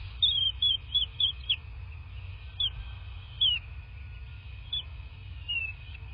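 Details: Bald eagle calling from its nest in rural southwest Florida, captured by nest camera on a February 2024 morning: a rapid run of high, descending chirps, five in quick succession, then scattered single piping notes, with a faint steady hum and low rumble.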